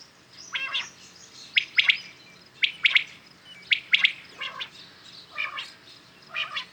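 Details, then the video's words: Common quails heard in the morning repeat bright, clipped triplets roughly every second. Loud nearby phrases alternate with fainter, more distant replies. "Today common quails calling"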